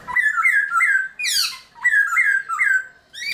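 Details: Black-throated laughingthrush, a caged bird singing at dawn to stimulate newly caught birds: a run of short rich whistled phrases, each dipping and rising, in two bursts with a bright, rising squeal between them.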